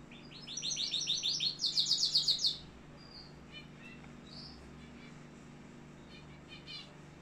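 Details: Canary in Algeria giving a quick burst of rapid high trilled notes for about two seconds, followed by scattered faint chirps against a low background hum.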